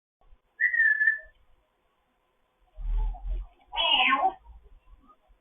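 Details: A foster grey parrot chatting in the morning: one clear level whistle, a pause, then a low murmuring sound and a rough, buzzy squawk, in a quiet room.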